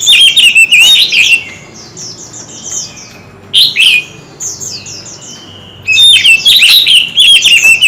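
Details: Competing Oriental magpie-robin, a kept bird singing many voices: loud jumbled whistled phrases alternate with softer strings of high, evenly spaced chirps, then a final long burst of varied loud notes.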